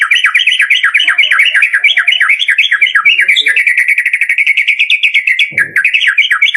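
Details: Lure song of a white-rumped shama meant to encourage a lazy caged shama to sing: a continuous, rapid, rhythmic rattle of sharp repeated notes, with one brief low thump near the end.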